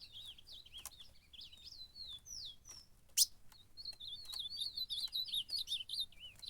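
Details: Ultramarine grosbeak (azulão) singing while fighting in a contest (campeada): rapid warbled phrases of high slurred whistles, rising and falling, with sharp clicks and a few loud knocks mixed in.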